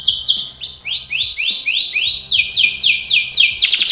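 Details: Canary singing a training song, moving through tours of repeated rising slurred notes that step down in pitch, then switching to a quicker series of high, sharply falling syllables.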